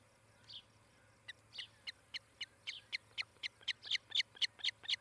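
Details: Ospreys calling at their nest in Charlo, Montana, recorded by nest camera on 18 July 2018 around mid-morning: scattered high chirps quickly speed up into a loud, insistent series of about four notes per second, with a faint low hum beneath.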